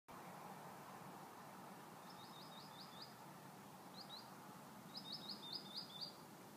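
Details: American goldfinch at Rist Benson Lake, Loveland, Colorado, in fall 2013, giving quick runs of thin, bright chips in bursts of two to seven notes over a steady low rumble of distant background noise.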